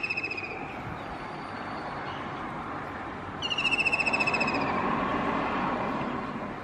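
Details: A white-throated kingfisher (Halcyon smyrnensis) singing on a roof gives two loud, shrill, fast-pulsed whinnying trills, each slightly falling, over a steady rumble of traffic or wind.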